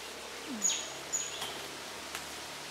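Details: A male rufous-bellied niltava (Niltava sundara) calls: a few faint, very high, thin whistled notes, one sliding slightly downward, about half a second apart over a soft outdoor background hiss.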